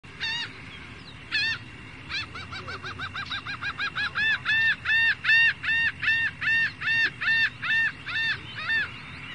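A gull gives two loud nasal cries, then a fast run of short yelping notes that settles into harsh, evenly spaced calls about once a second.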